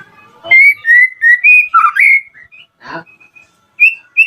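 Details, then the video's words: Song of a white-rumped shama, meant to provoke a rival shama into responding: a string of bright, pure whistled notes at a steady pitch, then a lower slurred note, a short rough chirp and two final whistles. "PANCINGAN AMPUH MURAI BATU AGAR CEPAT BUNYI"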